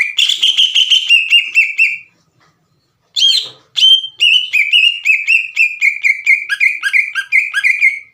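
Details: Green leafbird singing vigorously to stir other leafbirds into answering: bright repeated whistled notes with quick upward flicks, a short silent gap, then a renewed fast chattering run of clipped whistles.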